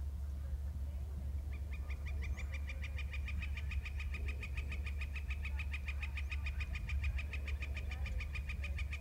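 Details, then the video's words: Male eagle trill beginning after a short pause, then a fast, regular stream of sharp clipped notes, many per second, running steadily to the end over a persistent low droning hum. "Eagle trills (Male)"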